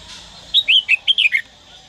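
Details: Trained cage red-whiskered bulbul from Daklak, Vietnam, sings six separated whistled notes, some swooping up, others sliding down, the phrase ending on a low falling whistle; faint hiss throughout.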